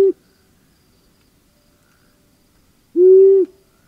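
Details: Long-eared Owl, found in Europe, Asia and North America: a low, soft, even hoot lasting about half a second. The tail of a previous hoot is heard at the very start, with near-silence between the two.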